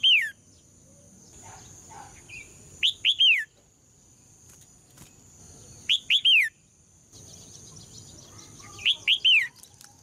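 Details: Female red-whiskered bulbul song used to provoke males into strong singing: three loud phrases about every three seconds, each two short rising whistles then a longer falling one, with a steady high hum behind.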